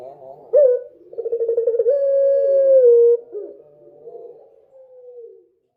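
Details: A dove singing at night: a short rising note, then a stuttering run of pulsed coos flowing into a long, steady, low hooting coo, followed by a softer, fading drawn-out coo.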